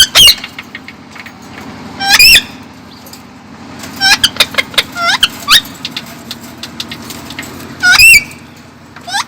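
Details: Pet parrot, a female, dancing and talking to herself in front of a mirror: loud, sharp, harmonic chirps and squawks that sweep up and down, in scattered bursts with quieter clicks between, over a steady low hum.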